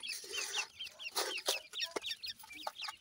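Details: Several grey francolin chicks calling after feeding while fighting their mother. The clip is a dense chorus of high, upslurred peeps repeated rapidly, with occasional hard clicks and rustling.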